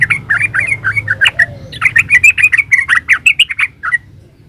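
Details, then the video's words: Yellow-vented bulbul, 'gacor ropel uplik' master song: dense, continuous chatter of bubbly, squawky notes, about three per second, ending abruptly in near silence. "Suara burung trucukan GACOR ropel uplik ini ampuh buat masteran trucukan biar nyaut"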